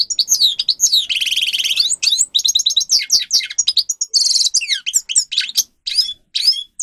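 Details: Grey-crowned goldfinch (Carduelis caniceps) singer, song used for training captive birds: fast, dense twittering of high sweeping notes, buzzy trills and rapid chattering runs, delivered almost without pause.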